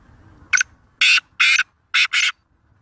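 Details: Black francolin of the Sindhi kind, known locally as kala teetar, in Pakistan: a rasping call of five coarse, scratchy bursts, three evenly spaced and then two run close together, with near silence between them.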